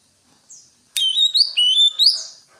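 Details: Greater green leafbird giving a short phrase of clear, sustained whistles that rise and fall, preceded by a faint thin note and a sharp click.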